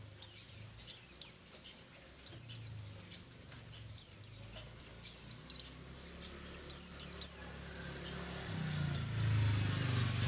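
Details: Ngalas-style morning singing from a buxtomi white-eye: repeated pairs and triplets of piercing high whistles falling in pitch, steady through most of the stretch, against a low rumbling background hum.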